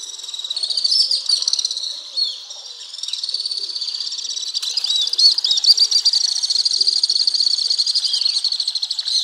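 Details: A group of Alpine swifts in Hérault, France, July 2022, in a continuous shrill chorus of overlapping fast trills and chattering notes, swelling and pulsing, with no background noise.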